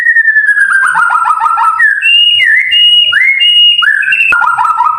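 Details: White-rumped shama masteran song, described as long-rolling and clear: a rapid rolling series of falling whistles, then rising slurred whistles alternating with high held notes, and another rolling descending run.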